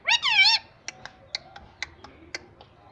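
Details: Pet ringneck parrot known for talking utters one loud, wavering, nasal phrase lasting half a second, followed by scattered soft clicks in a quiet room.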